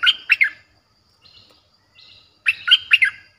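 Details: Streak-eared bulbul with its aggressive-sounding song, broadcast to entice wild birds: a three-note bubbling phrase, quiet soft twitters, then a fuller four-note phrase.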